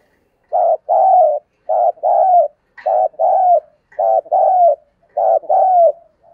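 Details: Spotted dove cooing to provoke a fight: loud, clean paired coos, a short note then a longer falling one, repeated steadily four times in a quiet setting.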